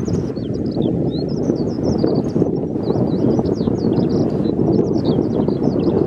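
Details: Lark at the Tama River pouring out an unbroken stream of high, chirping and trilling notes that rise and fall quickly, heard through strong, low rumbling wind noise.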